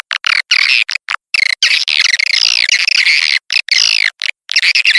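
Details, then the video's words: Swiftlet calls used as a lure to draw in swiftlets: rapid, high chattering twitters with wavering whistled notes, chopped into bursts by sudden clean silences. "SUARA WALET | SUARA PANGGIL WALET"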